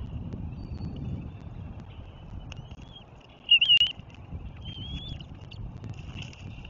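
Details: Bald eagle at its nest, recorded 7 April 2024: thin, high whistled chirps and short rising slurred notes, with a louder chittering burst midway and another whistled note a second later, over soft low wind rumble.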